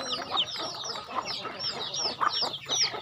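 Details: Home-farm chickens while being fed, giving quick bright falling peeps from several birds in short bursts, with faint clucking below.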